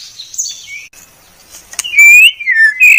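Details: White-rumped shama song used as masteran: a faint high slurred note, a quiet gap, then loud clear rising and falling whistles.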